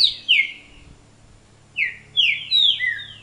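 A Green-winged Saltator sings loud, clear whistled notes that slur downward, one early note, then a quick run of three or four after a pause.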